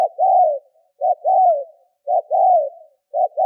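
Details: Lure spotted dove giving urging coos meant to draw in wild birds. A brief note leads into a drawn-out, gently descending coo. The pattern repeats roughly every second against a silent background.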